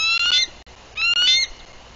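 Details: Female bald eagle arriving at her nest in Bluff City, Tennessee, on 14 April 2023, on guard, captured by a nest livecam: two loud, piercing, whistled calls, each a rising harmonic squeal with a stuttering tail, about a second apart.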